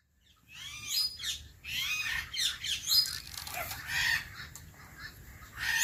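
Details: Caged macaw uttering a stream of rough, scratchy calls and chatter, moderately loud, with rustling between notes.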